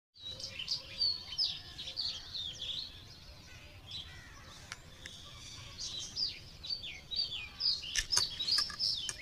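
Cliff flycatcher giving high, sharp chirps and squeaky notes in quick bursts, several overlapping at a lively pace over faint background hiss.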